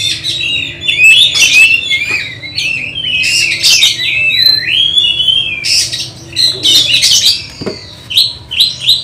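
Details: Oriental magpie-robin in training for a songbird contest, delivering a varied song of loud whistled phrases, sliding and warbled notes mixed with harsh squawky bursts, continuous for about nine seconds.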